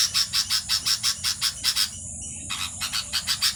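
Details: Nestling birds in their nest give a fast series of scratchy, hissing chirps, roughly five a second, with a brief half-second pause before the rasping resumes.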